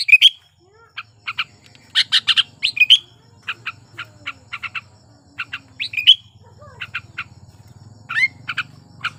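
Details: Sooty-headed bulbul in breeding condition, song played to get silent bulbuls singing: loud whistled phrases mixed with many short evenly spaced chirps, over a low humming drone that swells toward the end.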